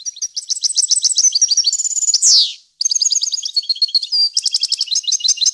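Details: European goldfinch song, faultless and clear, used to tutor fledglings: continuous rapid twittering and trills broken by a loud rasping buzz, then rhythmic repeated bright notes.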